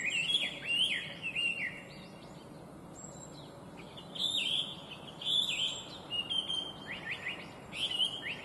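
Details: Chinese hwamei, noted as an invasive alien species, delivering melodious song in bursts: varied whistled and slurred phrases separated by short pauses, each burst bright and intricate.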